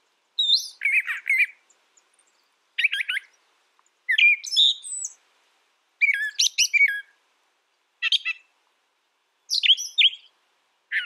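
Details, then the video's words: Steady series of brown thrasher song phrases every one to two seconds, each a different mix of sharp chips, buzzy notes and high whistled slurs, against a silent background. "Brown Thrasher Bird Sound, Bird Song"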